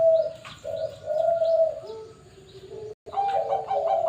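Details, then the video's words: Zebra dove of the Bangkok perkutut type at a bird farm, giving sustained, tonal, mid-pitched coos in long drawn notes, broken by a brief silence and then resuming with layered cooing. "Perkutut Bangkok"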